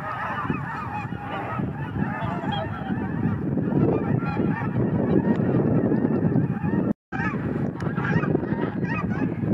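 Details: Cackling geese flying up as a flock, their takeoff described as rather fast. A dense, continuous chorus of harsh overlapping honks, about two per second, runs under strong low rumble, with a brief dropout near seven seconds.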